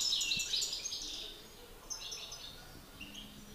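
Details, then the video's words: European goldfinch males in a song battle, master against excited bird: a loud dense twittering burst at the start, then fainter scattered high notes. "Battle de chardonnerets"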